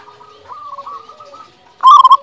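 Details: Local zebra dove lure song for silent doves: quiet wavering coos, then a sudden loud burst of rapid bubbling coo notes at the end.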